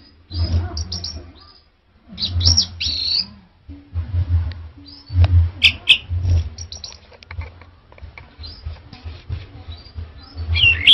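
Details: Male orange-headed thrush song: varied phrases of high, clear, jumbled whistles and twittering notes, given every second or two with short pauses, over a constant low-pitched hum.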